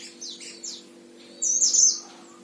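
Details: Short burst of thin, high twittering from a caged Himalaya oriental white-eye kept in Sragen, Indonesia, first soft, then a louder sustained chirping phrase.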